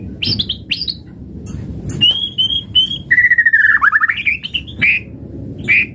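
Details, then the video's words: White-rumped shama song played to stimulate other birds to sing: a few short high notes, then clear held whistles and a long descending whistled note breaking into a quick trill, with hum beneath. "Pancingan Murai Batu Langsung Respon Auto Bunyi - Masteran Suara Burung Murai Agar Gacor Full Isian"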